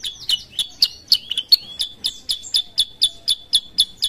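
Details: Sooty-headed bulbul of the kutilang sutra type, singing steadily: rapid, crisp high chirps about four a second, a few early notes sliding and bending before the rest settle into an even, ringing repetition.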